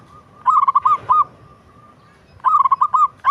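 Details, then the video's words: Zebra dove of a local type gives two brief, rolling phrases of quick coo notes separated by about a second of near silence. "Suara perkutut lokal merdu syahdu"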